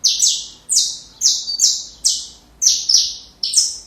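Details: Saffron finch singing a song meant for teaching young birds: six loud, buzzy, downward-sliding notes spaced roughly half a second apart, each sharply struck and fading off.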